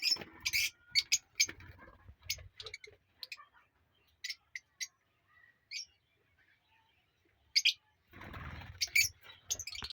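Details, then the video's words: Aviary colony of ringed lovebirds: a flurry of shrill, high chirps at the start, sparse single squeaks through the middle, and another burst of chatter over a low rustling noise near the end. "New Love birds colony"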